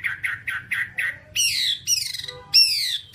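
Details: Whambie song from a tutor recording for kept birds: five short burry notes, then long, loud, high whistles that slide steeply downward, with a brief chattering burst between them.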